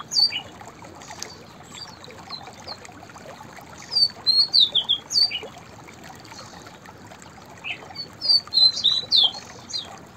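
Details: Song of a white-browed fantail: two bright phrases of high, slurred whistles, each about two seconds long and stepping up then down in pitch. A quiet pause with soft background hiss separates them.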